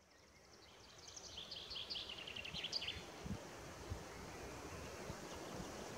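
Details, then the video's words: A male white-backed woodpecker (ssp. lilfordi) drums on Mt. Snežnik, Slovenia, in March 2021: one roll of rapid strokes lasting about two seconds that speeds up and fades, over steady wind rumble. "Drumming White-backed Woodpecker"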